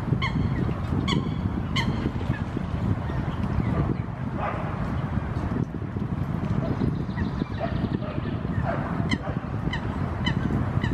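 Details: Eurasian coots in a territorial dispute while swimming, Helsinki, Finland, June 2016, give short, sharp, nasal calls, several spaced through the first seconds and more later, over steady low rumbling wind or water noise.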